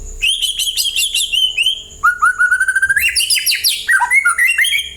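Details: Singing white-rumped shama meant to set other birds singing: fast repeated chirps, a long rising run of whistled notes, then dense buzzy trills and varied slurred phrases.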